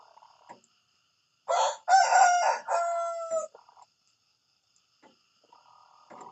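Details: A rooster crows in the morning: one loud, harsh, multi-part cock-a-doodle-doo of about two seconds, ending in a long falling note. Faint clucks come before and after it, with quiet background between them.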